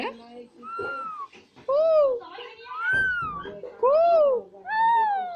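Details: A pet Alexandrine parakeet talking indoors, producing speech-like phrases with arching tonal whistled syllables, several rising and falling notes in quick succession.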